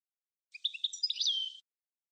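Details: European goldfinch from Tunisia, Sfax song style recorded in 2022 for tutoring: a brief second-long jumble of twittering notes that runs into a drawn-out, slightly buzzy falling note.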